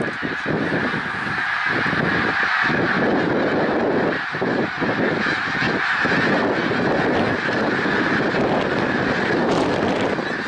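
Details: Snow geese at Middle Creek Wildlife Refuge, Pennsylvania, 1 March 2021, an unbroken roar of countless honking birds, heavy rushing noise beneath it and brief gaps where the low rumble drops away.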